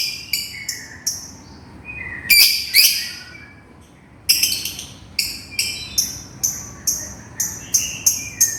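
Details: Lovebird calling to its companion: a long series of sharp, shrill high-pitched shrieks and chirps, several loud harsh bursts near the middle, then regular piercing calls about every half second.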